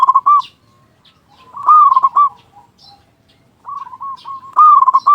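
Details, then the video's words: Zebra dove song meant to excite other doves into calling: bubbling coo bursts alternating with quieter trilled cooing notes, soft high chirps in the background. "Perkutut Lokal Gacor Suara Besar Pancingan Burung Perkutut Agar Cepat Bunyi"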